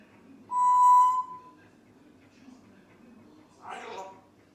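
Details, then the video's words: A pet Grey parrot that is learning new phrases gives one clear, steady whistle lasting under a second, then a short speech-like phrase a few seconds later. "Жако Говорит всё Новые и Новые фразы! Parrot tald a new phrases!!!"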